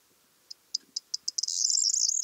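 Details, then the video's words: Corn bunting singing: sharp, high clicks that come faster and faster, then burst into a dense, shimmering jangle like shaken keys, held for almost a second; faint low rustling beneath. "Corn Bunting: Song"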